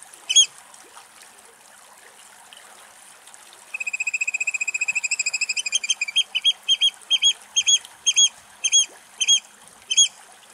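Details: Eurasian oystercatcher calling in Greek nature: a few sharp, isolated loud notes, then a rapid, even run of shrill piping notes that breaks into separate loud, spaced calls, over a faint hissing background.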